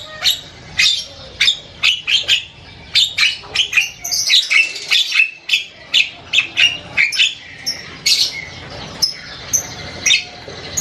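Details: An Asian pied starling pours out loud, varied chatter: dense harsh squawks, buzzy notes and short whistles in a rapid, uneven stream over a quiet background.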